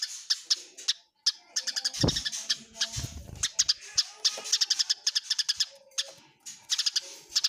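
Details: Squabbling Eurasian tree sparrows, clearly heard: an almost continuous chatter of high, scratchy chirps, briefly cut off after the first second, with faint low rumbles in the middle.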